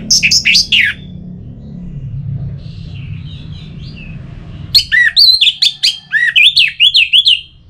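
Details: Orange-headed thrush, a caged bird from Singaraja in north Bali, Indonesia, singing loud varied whistled phrases with sharp downslurred notes at the start and a rapid run of rising and falling whistles after a quiet pause, over a low steady hum.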